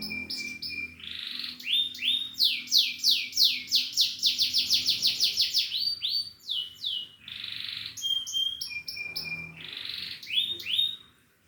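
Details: Canary singing a long varied strain: brief held whistles, a rolling series of rapid swept notes, clipped high chips and repeated whistled phrases, ending in a fade; faint low hum beneath.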